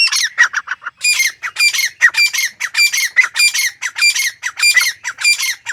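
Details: Grey francolin (Francolinus pondicerianus) call, offered as a hunting lure: loud, harsh, squawky phrases repeated rapidly, nearly twice a second, with no other clear sounds.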